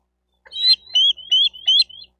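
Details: Nest-camera recording from Miami-Dade County, Florida, 28 May 2023, of a wild bald eagle at its nest: a loud burst of four high, slightly rising piping notes linked by thin chatter, delivered within about one and a half seconds.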